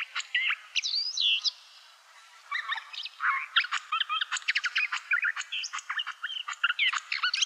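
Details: Barred warbler (Sylvia nisoria), a Russian forest-edge bird, singing a fast, chattering warble of scratchy notes and short whistles, delivered in bursts after a brief pause.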